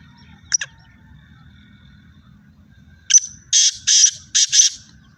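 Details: Sindhi black francolin calling in fields in Pakistan: a brief harsh note, then a quick series of loud, rasping, grating bursts in a rhythmic phrase, with a faint low rumble underneath.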